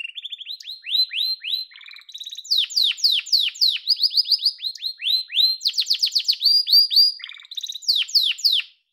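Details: Yellow domestic canary singing loud, fast series of downward-sweeping whistled notes and sharp chips, repeated in quick bursts of about four per second, with a short rolling trill between phrases.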